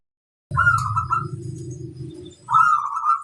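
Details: Local zebra dove (perkutut) cooing to challenge rivals: two bursts of trilled, bubbling mid-pitched coos about two seconds apart, over a low rumbling background.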